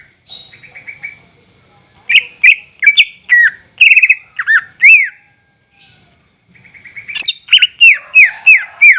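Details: Greater green leafbird song used as a lure for caged birds. Varied bursts of sharp chirps and ringing downslurred whistles come in irregular phrases separated by brief pauses, with a quick descending series at the end.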